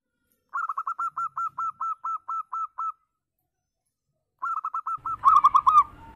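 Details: Local zebra dove, 'berayun' song used as a lure: a steady series of about twelve evenly spaced short coo notes, then after a pause a faster run building into a loud, dense burst of bubbling coos.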